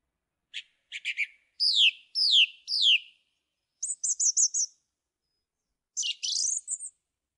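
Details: Song thrush singing: sharp repeated phrases, a trio of descending whistled notes, then a rapid run of high chips and a final rising slurred phrase, each figure clearly separated by short pauses.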